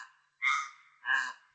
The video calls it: The forest raven, which is the biggest of them all, it's actually got the deepest and slowest call, a very, very resonant, deep call.